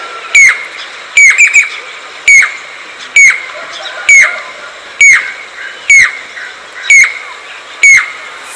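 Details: Jacobin cuckoo, also called crested pied cuckoo or chatak: loud ringing notes repeated roughly once a second, each a sharp metallic piping note with a falling tail, some given as quick doubles; faint background rustle.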